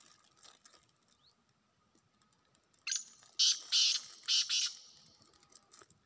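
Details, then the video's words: Wild black francolin calling after a quiet start: a short harsh note followed by four loud grating bursts in two pairs, set against faint background hiss. "جنگلی کالے تیتروں کی آوازیں"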